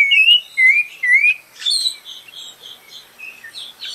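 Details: Three loud, fluting whistles from a spot-breasted oriole, each sliding upward, followed by softer high twittering from other birds.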